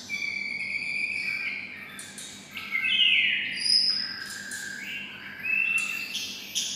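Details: Captive white-rumped shama raised near red-whiskered bulbuls sings bulbul-style phrases: sustained whistles, a sharp rising sweep, and varied bright chirps in quick succession, over a quiet constant hum.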